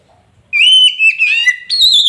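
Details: Magpie robin of the kacer poci type singing to prompt a silent bird to answer: a long, level, clear whistle, a few quick modulated notes, then a higher sustained whistle.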